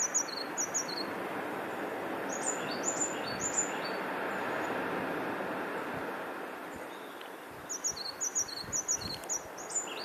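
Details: Injured African blue tit, missing one eye and one leg, calling back in windy weather: short runs of high, sharp repeated notes at the start and end, with quieter notes in the middle, half buried under strong rushing wind.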